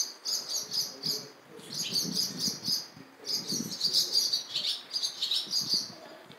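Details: Nestling barn swallows calling for food from a parent at a nest near the bus terminal in Jeongseon, Gangwon-do, Korea, smartphone recording. Dense runs of high, squeaky chirps come in rapid rhythmic series with short pauses between bouts.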